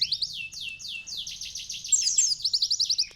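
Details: Sunbird singing, intended as a learning recording for canaries: a few descending high sweeps, then a jumble of sharp twittering notes ending in a quick run of evenly spaced high chips.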